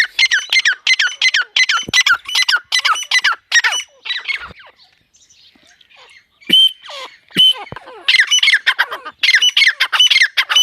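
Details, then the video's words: A partridge (teetar) gives fast runs of harsh, squawking notes, about three per second, in bursts broken by short pauses. The call is described as one that gets partridges excited. "Tetar ke masti wali korak"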